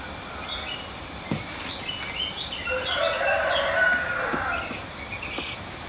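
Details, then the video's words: Rooster crowing in early morning before sunrise in countryside farm surroundings; one long drawn-out crow rising then holding and fading over about three seconds, with faint bird chirps and steady background hiss. "EARLY MORNING ROOSTER CROWING BEFORE SUNRISE"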